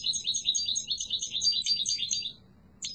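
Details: Yellow mutation goldfinch pours out a continuous fast trilling twitter of high, slightly buzzy notes for over two seconds, then a short chirp after a pause.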